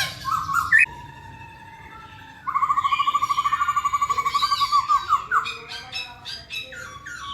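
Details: Singing masked laughingthrush, poksay Hongkong: a couple of short whistled notes, a pause, then a long rapid trill of repeated notes lasting about two seconds, rising into varied squawky phrases.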